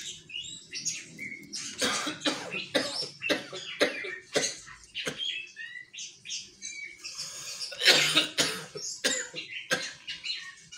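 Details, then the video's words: Orange-headed thrush (anis kembang) singing a dense, almost unbroken run of harsh, scratchy bursts mixed with brief high whistled phrases. "Anis kembang kolset"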